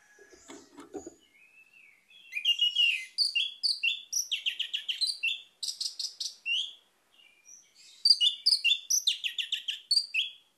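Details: Orange-headed thrush song, used as a lure to get a silent bird singing again: a brief low rough note, then a dense, fast run of varied high whistles and chattering notes in close bursts, with a short pause before a final burst.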